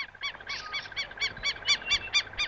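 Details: A pair of African Wattled Lapwings guarding a ground nest of three eggs near a riverbank scream rapid shrill ringing notes, about four per second, in a swooping alarm attack to divert an approaching elephant herd.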